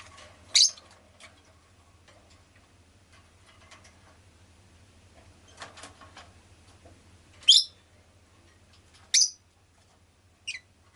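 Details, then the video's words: Sparse, sharp, high chirps from a rosy-faced lovebird, four notes spread over several seconds with long gaps, over a steady low hum and faint street noise. "Lovebird Chirping Sounds"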